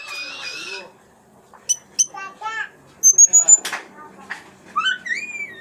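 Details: Hanging parrot from South Sulawesi giving high, thin squeaky chirps and a sharp rising whistle in quick bursts, with some lower chattering notes at the start.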